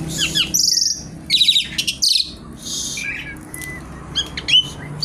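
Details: Javan pied starling in lively full song, a busy run of varied whistles, harsh buzzy bursts and sharp chirps mixed with rapid rattling notes, with a steady low hum underneath.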